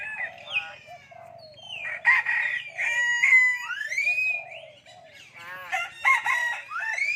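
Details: Common hill myna speaking human language: a busy run of harsh, nasal, voice-like syllables mixed with rising and falling whistled slurs, some loud bursts around the middle and again near the end, with short pauses between phrases.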